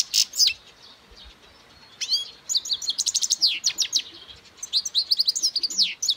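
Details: European goldfinch singing: bursts of rapid, liquid twittering with quick rising and falling notes, broken by short pauses, with a buzzy note near the start.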